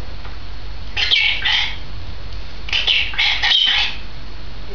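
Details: On 16 May 2010, a two-year-old female grey parrot utters grating, broadband squawks in two clusters, a pair and then three close-set calls, over a faint steady hum.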